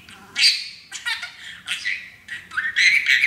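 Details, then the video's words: Pet male parakeet, happy while standing on a new play stand, practises phrases taught by his owners. The result is a rapid run of scratchy, warbling syllables broken by short pauses, in a quiet room. "TALKING Parakeet"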